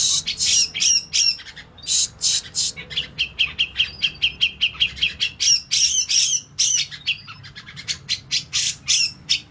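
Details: Grey-cheeked bulbul song from a lure and training track: rapid, high chattering and squawky notes in dense bursts, repeated about two or three times per second with brief gaps, with no other clear sounds.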